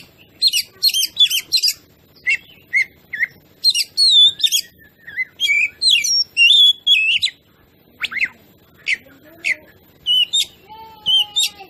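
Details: Oriental magpie-robin (kacer) song used as a lure to provoke other birds; rapid run of sharp chirps and melodic whistles, then a quieter stretch with a few low whistles.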